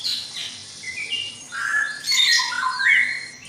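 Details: Noisy dawn chorus of white-rumped shamas in a breeding cage, with sweet fluty whistles and longer warbled notes building in volume toward the end, alongside scratchier high calls.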